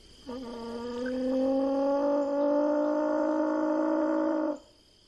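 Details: Rufescent tiger heron (socó-boi) uttering one long, deep, humming moan that starts abruptly, rises gently in pitch and holds steady for about four seconds before stopping sharply.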